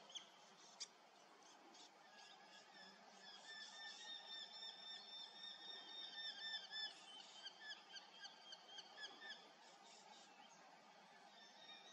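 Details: Fog-bound morning, 7 August 2024: a Eurasian hobby's high, rapid call series, rather distant and soft, rises for several seconds in the middle, then trails off into scattered quieter notes.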